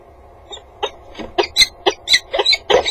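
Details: Peregrine falcon (Falco peregrinus) pair meeting at the nest box on a water tower at 08:05, 30 January 2015, just after one flew off the roof; harsh, scratchy calls about three per second, growing louder and more urgent, faint low hum.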